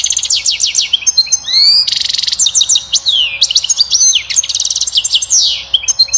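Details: European goldfinch singing its strongest song to stimulate the female to mate and build a nest; fast, loud twittering with rapid high trills, buzzy nasal phrases and rising upslurred whistles, in continuous bursts against a quiet background.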